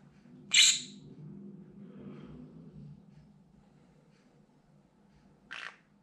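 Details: Pet green-cheeked conure screaming at something seen or heard outside the window: two loud, harsh, grating screeches about five seconds apart, with a low indoor murmur in between.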